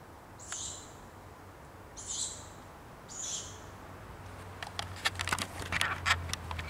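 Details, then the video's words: At night on 5 June 2021 in the Skarpa Ursynowska nature reserve, a young tawny owl gives three hoarse, hissing, wheezy calls about 1.5 seconds apart over a low hum, then scattered crackling and clicks. "Odgłosy młodego puszczyka w nocy"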